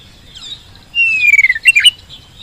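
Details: An Oriental magpie-robin lure phrase: a long clear whistle sliding gently downward, followed by a quick stutter of sharp notes and a final rising twist.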